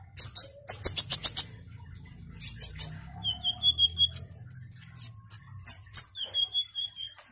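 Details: Kolibri ninja sunbird singing busily: bursts of fast high chirps, then a varied sequence of thin whistled notes at different pitches, some long and level, separated by short pauses, with a faint low hum beneath.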